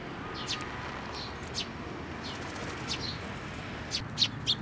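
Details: Young sparrows arriving at a shrine post for food on 25 May 2024, with soft wingbeats and scattered faint, high, brief chirps against a constant hiss, growing louder near the end.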